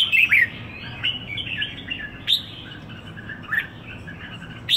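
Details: Singing red-whiskered bulbul in Singapore, a bird there for one week: a loud opening phrase of quick liquid chirps, then scattered sharp upswept notes spaced about a second apart.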